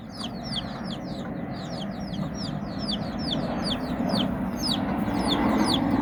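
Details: Chickens in Bizkaia, Basque Country: a hen out walking with her nine chicks as they play and learn; bright falling peeps repeat about three times a second, growing slightly louder toward the end over low rumble.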